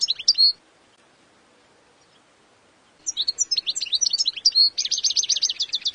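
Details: A short European goldfinch phrase, then over two seconds of silence, followed by rapid high twittering that runs into a sustained buzzy trill near the end.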